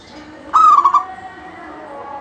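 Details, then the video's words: Single stuttered coo from a local zebra dove in full song, used to spur other doves to sing; a clear tone broken into fast pulses, with faint hum behind. "Suara kutut lokal gacor full manggung"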